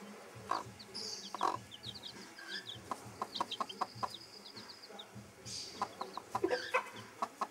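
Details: Broody bantam hen leading her chicks, clucking in irregular quick series while the chicks keep up bright high peeps, with a brief louder chirping burst later.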